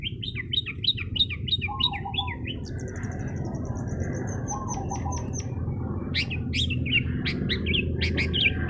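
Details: Long-tailed shrike song meant to rile rival birds. It opens with a quick zigzag of scratchy notes, then a thin high ticking series and sharp rising chips. A lower warbled motif recurs, and a constant low hum sits underneath.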